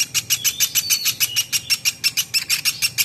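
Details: Quick, regular rasping chirps of a platuk beras woodpecker, roughly three per second, in a training recording for songbirds, with a faint hum in the background.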